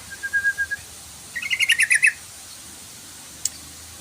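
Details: Yellow-vented bulbul lure call, used to make the bird sing: a few soft low whistled notes, then a quick bright rattle of about eight bubbly notes, and later one sharp click.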